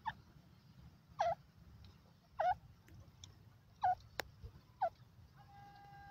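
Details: Partridge, known locally as Irani or Dakhni teetar: five short clear notes, each dipping then rising, spaced about a second apart over a low steady background hum.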